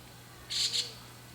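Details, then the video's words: Juvenile White-cheeked starling giving a short, harsh, raspy call made of two quick bursts close together, the whole lasting about a third of a second, over a steady low hum. "ムクドリの幼鳥の鳴き声 Young bird of the starling"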